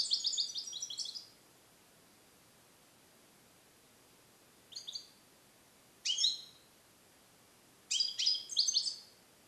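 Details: Song-trained European goldfinch, a male bred in captivity in the USA in 2021, sings still-incomplete Neapolitan passages from a carrier. A jangling opening burst is followed by silence, then short high rattling phrases and a final twittering run.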